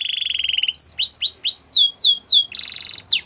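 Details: Belgian canary in morning song, opening with a steady lower buzzy trill, then loud repeated rising-falling whistled notes, ending in a harsh buzzy burst and further sweeps.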